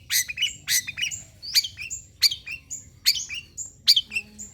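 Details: Long-tailed shrike singing as a lure: harsh, explosive notes, each followed by a thin high whistle and a lower twitter, delivered in spaced phrases about every 0.8 seconds.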